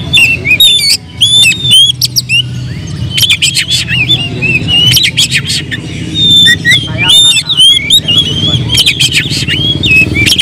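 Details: Excited oriental magpie-robin song meant to provoke other birds, a varied stream of ringing whistles, buzzy rasps and fast chatter, nearly continuous, above a steady low background hum.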